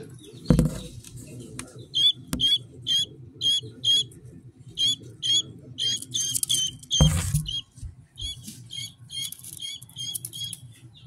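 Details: Two-day-old Pearl guinea keet, hatched 3-22-2023, bought from a store as a future guard bird: rapid, regular high-pitched peeps, roughly two per second, with brief rustling bumps and a low background hum.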